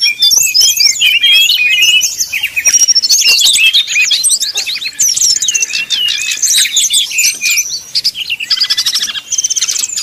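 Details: Brown-chested jungle flycatcher in fluting song, played to make opponents agitated and sing: busy high warbling of looping whistles and buzzy trills, a lower drawn whistle near the end.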